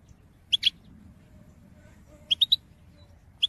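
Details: European goldfinch recorded in 2022, its call-song played to motivate birds: a pair of sharp, high chirps, a quiet gap, then a quick run of three similar notes and one more at the end.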